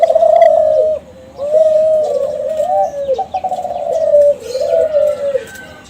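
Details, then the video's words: Lure song of young Kelantan zebra doves bred from contest champions, meant to prompt other doves to call; three long rolling, trilled cooing phrases with quavering pitch, separated by short pauses. "SUARA DERKUKU KELANTAN TRAH JUARA PANCINGAN"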